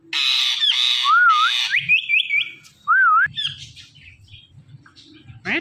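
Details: Talking Indian ringneck parakeet: loud harsh raspy bursts, then wavering whistled notes and quick rising chirps repeated in a short string, ending with softer mumbled chatter and a final sharp squawk.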